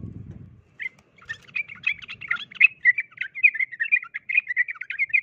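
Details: Sooty-headed bulbul, a fighting bird pitted against a wild one: a busy run of short bubbly chirped notes around mid-high pitch, delivered in quick uneven bursts after a brief low rumble at the start.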